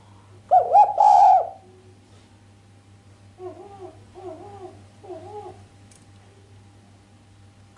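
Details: Female island collared dove cooing sharply without the 'kuk', meant to stir the male; one loud rolling coo opens, followed after a pause by three softer, evenly spaced hollow notes, low hum in the background.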